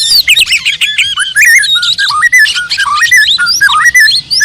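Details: Oriental magpie-robin pouring out a continuous, fluid warble of rising and falling whistled notes, mixed with scratchy chirps and a few squawky accents, delivered without pause.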